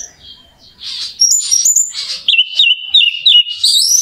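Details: Orange-headed thrush song used to rouse a bird to sing: soft buzzy notes build into loud, quickly repeated whistled phrases with small wavering steps, ending in a rising whistle.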